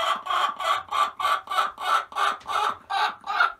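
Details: Hens in a coop with newly added nesting boxes give a steady run of about ten harsh, nasal clucks, roughly three per second, each a broad burst of sound.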